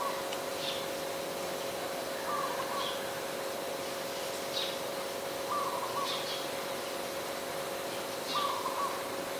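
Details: Three brief trilled coos from an adult zebra dove, Ubon Ratchathani, Thailand, 28 December 2020, spaced about three seconds apart, with sharp high chirps from other birds scattered throughout and a low steady hum.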